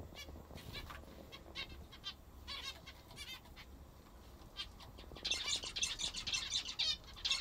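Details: Kept zebra finches feeding on their favourite food, giving short nasal trumpet-like beeps at an uneven pace, about two a second, with a dense burst of overlapping calls from several birds near the end over a low background hum.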